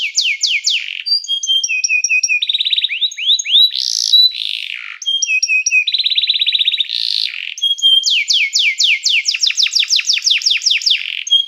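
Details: Canary song for training and calling other canaries to sing: varied phrases of sweeps, steady whistled tones, fast buzzy trills and harsh bursts, alternating over several seconds.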